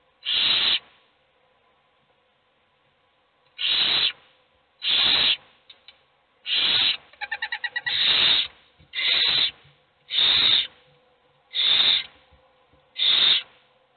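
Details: Hungry owl chicks in a nest, all begging while only one gets fed: harsh broadband hissing screeches, each under a second, repeated every one to two seconds, with a quick run of rapid clicking notes midway.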